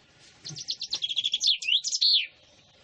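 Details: Common chaffinch song: a rapid series of high trilled notes speeding into a descending flourish, then ending in a buzzy downslurred terminal phrase, lasting under two seconds.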